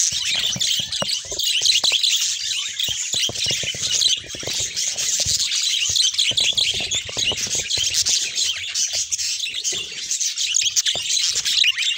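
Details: A large chorus of budgerigars in varied mutations keeps up a continuous high chatter of chirps, warbles and squeaks, with many sharp clicks and taps from the cage scattered throughout.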